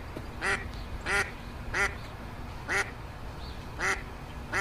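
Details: Duckling on a pond calling, seven rasping quacks in under five seconds at an uneven pace, each short and nasal, with low background rumble.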